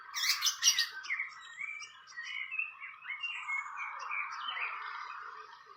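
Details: Fantail at its nest in the wild: a busy run of high chirps and short whistled notes, some rising and some falling, packed closely together, with loud sharp chips at the start.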